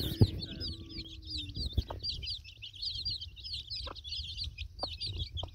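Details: Broody mother hen feeding her chicks; the chicks keep up a steady stream of high, thin peeps, and the hen adds a few short, low clucks.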